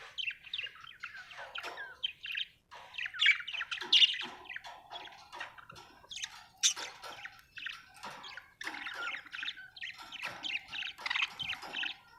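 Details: Budgerigar of Australia chirping in a long, continuous stream of scratchy, buzzy warbles and squeaky twitters, rising and falling in busy bursts throughout.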